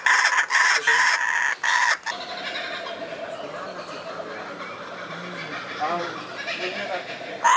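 A kookaburra gives a loud, harsh, cackling burst of rapid repeated notes for about two seconds, then fades into a quieter, noisy background.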